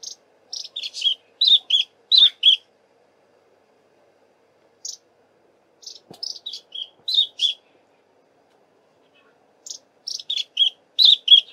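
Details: Long-billed Crombec, a shy bird foraging in dense bush, gives high sharp notes in three bursts of five or six, each falling slightly, separated by pauses of about two seconds; quiet background.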